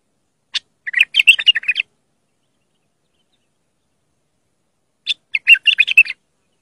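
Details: Song of a bulbul used for teaching young bulbuls: two matching bubbly phrases, each opening with a sharp high note and then rapid tumbling chirps, about four seconds apart.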